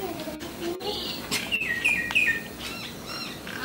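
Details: A Sri Lankan myna that visits a home doorstep gives a quick, varied run of bright whistles and squeaky chirps, some gliding up or down, over a faint background hiss with a few sharp clicks.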